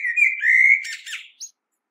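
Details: Common blackbird singing: a loud, mellow fluting whistle around mid pitch, drawn out and slightly wavering, breaking into a scratchy, twittering flourish and a brief high squeak at the end.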